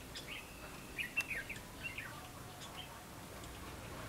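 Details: Red-whiskered bulbul during a 19 September 2016 trapping session. A soft, thin whistled phrase followed by several quick chirping notes, then a brief second phrase, with steady background noise and faint clicks.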